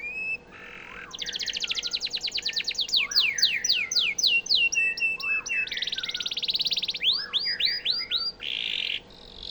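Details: Canary song used as a model for training White-rumped shamas: fast rolling trills of rapid repeated notes, downward-sweeping whistles and buzzy bursts in high, continuous, varied phrases.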